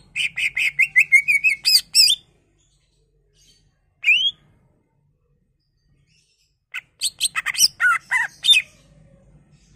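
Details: Greater green leafbird singing to stimulate other leafbirds: a fast run of repeated sharp chirps over a steady whistled tone, a single rising whistle after a pause, then another rapid burst of varied chirps and slurred notes.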